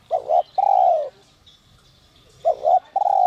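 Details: Spotted dove, 'giọng còi' voice style for provoking wild doves: two short notes and a long, mellow, falling coo. The phrase starts again after a pause of about one and a half seconds.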